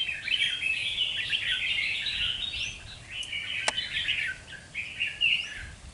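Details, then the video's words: A wild-caught red-whiskered bulbul, two months caged, sings in a fanned-tail contest display. A long run of dense, bubbling whistled notes trails into shorter chirpy phrases, with a single click partway through. "Chào mào bổi 2 tháng đấu xoè"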